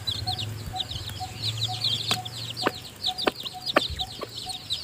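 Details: Newly hatched chicks peep in the nest while the hen gives them food. High, chattering cheeps overlap constantly, with faint short tones repeating regularly and several sharp taps, likely pecking, in the second half.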